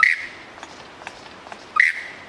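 Superb Lyrebird plecking: two loud, harsh, clipped notes about two seconds apart, with faint clicks in between.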